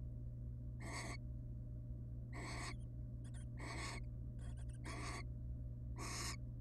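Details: At a nest box with their young, a wild barn owl pair, the mother showing love to the father: five rasping, broadband screeches spaced irregularly, with fainter clicking rasps between, over a constant low hum.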